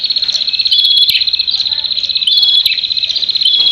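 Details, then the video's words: Prinias fighting: an unbroken, fast, rattling trill held at a high pitch, broken by brief sharp clicks and short pauses. "burung prenjak tarung"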